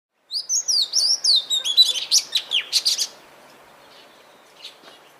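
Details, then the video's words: Oriental magpie-robin song: a quick run of varied high whistles and chattering notes lasting about three seconds, then near silence with one faint late note. "Suara Burung Kacer"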